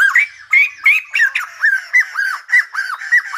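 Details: Silver-headed babbler song said to resemble a Lumba dancer: loud, evenly spaced arched notes, roughly three per second, each a quick rising-then-falling squawk, keeping a bouncing rhythm throughout.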